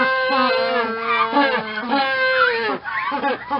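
A penguin gives a loud, harmonic, braying call that sounds almost like a goat or donkey.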